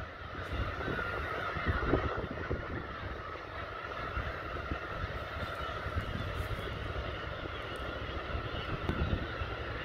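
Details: Dense, continuous chorus of Black-tailed gulls at the Kabushima breeding colony, Hachinohe, Aomori, Japan, countless mewing, cat-like calls overlapping into a steady roar, with a low rumble underneath.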